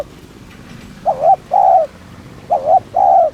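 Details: Spotted dove cooing in Vietnamese kích mồi lure style to excite other doves: two pairs of low coos, each a quick dipping note followed by a longer smooth hoot, after a quiet opening.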